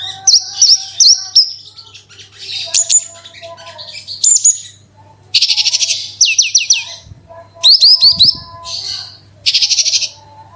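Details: Javan bush lark singing a lure song meant to set caged larks singing: high whistled notes and dense buzzy bursts, then quick repeated down-slurred whistles, with bright chips in between.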